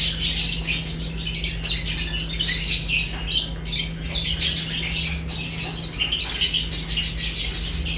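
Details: Several lovebirds chatter as they eat, their sharp, high chirps packed tightly and uneven throughout, over a faint constant hum.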